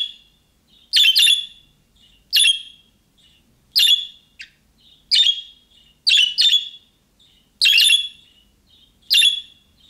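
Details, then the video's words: Budgerigar sounding the young birds' call that prompts other budgies to answer; around eleven harsh chirps in irregular doubles and singles, spaced one to two seconds apart. "MUHABBET KUŞU SESİ Kuşunuz Bu sese Karşılık Verecek Kuş Sesi"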